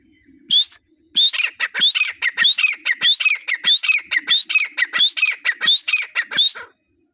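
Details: Teetar, a grey partridge in breeding season, bursting into a long, rapid series of harsh double notes, each a rising squeak dropping into a rasp, repeated well over once a second.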